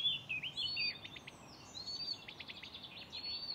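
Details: Singing Blyth's reed warbler, a mimic, recorded at Far Ings Nature Reserve, UK, on 11 June 2020. Long upslurred whistles alternate with rapid clicking rattles in a jumbled, energetic phrase.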